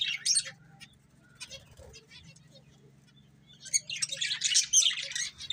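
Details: Budgerigar breeding pair: a few high chirps at the start, a quieter stretch of soft notes, then a loud burst of dense scratchy warbling chatter at the end, faint hum beneath.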